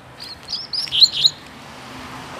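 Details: Caged male Double-collared Seedeater, out on a last walk before his moult, singing softly after a wild one came close overhead: a few brief, thin high chirps over steady outdoor hiss.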